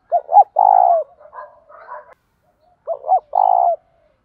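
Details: Spotted doves, male and female, calling for training wild-caught doves: a full three-part coo, two short notes and a long purred note, followed by soft muttering, then the phrase repeated about three seconds later.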